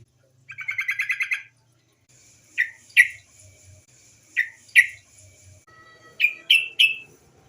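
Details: Female yellow-vented bulbul used as a lure for other birds: one short fast chatter, then a series of sharp, downward-sliding chirps in pairs and a triplet, over a faint steady hiss.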